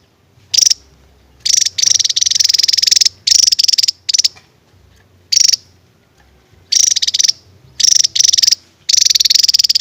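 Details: Javan tesia giving 'tembakan' shooting song: short, sharp high-pitched rattles fired in separate bursts of about half a second to a second, with clear silent gaps between them.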